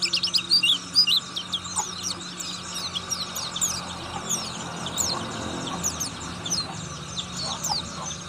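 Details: High, rapid ngriwik chatter from an Oriental white-eye of the buxtoni type, a fruit eater; quick thin notes tumble out in fast, uneven runs, loudest at the start, over a soft background hum.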